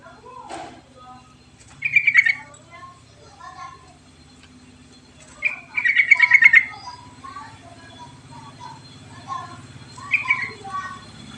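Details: Repeated bubbly phrases from a sooty-headed bulbul, a lure to stimulate sluggish birds, with fast warbled notes in bursts several seconds apart, scattered softer chirps between and a faint steady hum.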